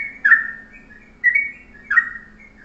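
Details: Three short, tight bulbul phrases, each a bright slurred note dropping in pitch and trailing off, about one per second, from a yellow-vented bulbul's morning master song for tutoring birds, over a low steady hum.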